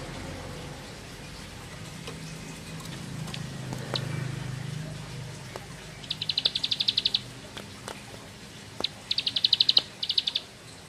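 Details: Bar-winged prinia song in ngebren style, heard as two short bursts of quick, high, rattling notes late in the recording, after a stretch of faint clicks and a low background murmur.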